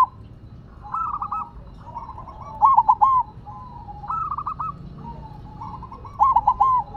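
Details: Repeated rolling coo phrases from a zebra dove set on the ground, each soft trilled opening leading to a louder burst of clipped coos, recurring roughly every two seconds against a faint low background.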